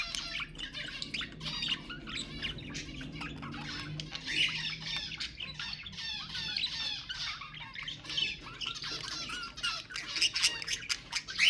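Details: Stimulating budgerigar sounds: a flock-like stream of chirps, clicks and buzzy warbles that grows denser, with sharp squawks punctuating the final seconds.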